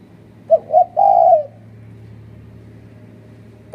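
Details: Spotted dove coo used as a trapping lure in Malaysia, two short notes and one drawn-out note, then quiet with a low steady hum before another coo starts.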